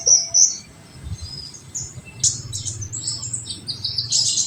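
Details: Olive-backed sunbird 'tembakan' song for stimulating untrained birds: thin high whistles at first, then a loud sharp chip leading into buzzy rattling trills, over low rumble.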